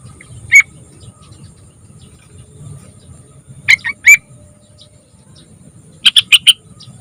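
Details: Lure recording of a young, actively singing yellow-vented bulbul: a single sharp chip, then three clipped chattering notes, and finally a rapid burst of four bright notes, with soft low rumble underneath.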